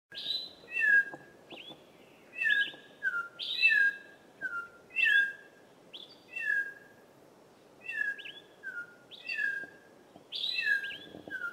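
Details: Chorister robin-chat in forest overlooking a small stream gives about ten clear see-saw contact calls, each a high whistled note dropping sharply, repeated roughly every second over faint background hiss.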